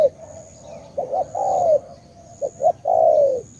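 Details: Spotted dove from Cà Mau, Vietnam, of the tú type, cooing in two phrases. Each phrase has two short clipped notes and then a long, husky, downslurred coo. A faint high whine continues in the background.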